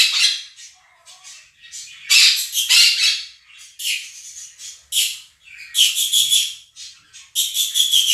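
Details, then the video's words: A pair of domestic Quaker parrots screams against a budgie recording: harsh, raspy squawks in uneven bursts, some stuttering and rapid, with shrill, whistled tones mixed in toward the end. "КАК ПОПУГАИ МОНАХИ СТАЙКУ ВОЛНИСТЫХ ПОПУГАЕВ ПЕРЕКРИЧАЛИ Quaker parrots scream over flock of budgies"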